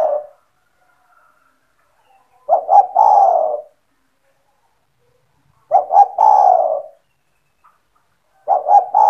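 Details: Captive spotted dove in full voice, played to lure other doves into calling: low, mellow cooing phrases of a few quick notes ending in a drawn-out coo, repeated about every three seconds with silence between.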